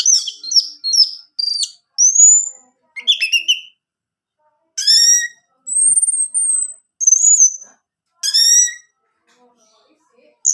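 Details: Varied orange-headed thrush song for prompting a male to sing: high whistled slurs, rising sweeps and stacked buzzy notes, delivered in separate phrases with pauses between.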